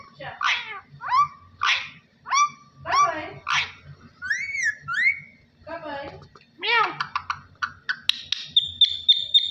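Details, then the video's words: Parrot imitating speech, saying Allah Hoo: a run of clipped, voice-like syllables with falling inflections and short whistled notes, ending in rapid clicks and a steady high whistle. "Parrot Talking ALLAH HOO میاں مٹھو کی باتیں اللہ ھو"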